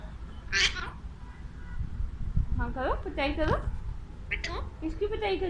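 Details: Male Alexandrine parakeet kept as a pet, chattering at a mirror in Urdu and Hindi. Bursts of speech-like harmonic syllables, rising and falling, run in quick clusters with squeaky high notes, over low household rumble.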